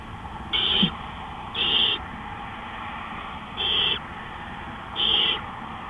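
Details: Owl calling at 3:15 AM on 20 April 2013: four harsh, hissing screeches, each about a third of a second long, spaced unevenly by one to two seconds, with a faint click and a steady hum.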